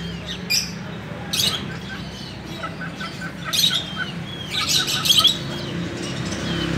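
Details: Several captive finches in a breeding cage give short, high chirps and squeaky calls in scattered bursts over a few seconds, above a steady low mechanical hum.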